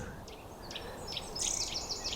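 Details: Eurasian Nuthatch near bird feeders at a woodland campsite in Ringwood, Hampshire, giving shrill, high "whit whit" notes, a few spaced singly, then a quicker run of sharp chirps while birds squabble over food, over steady outdoor background noise.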